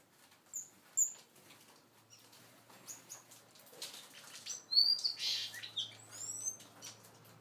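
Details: Several seagreen parrotfinches feeding and interacting give scattered thin, very high, short chirps, some in quick pairs, with a louder burst of overlapping tweets midway over soft rustling and pecking.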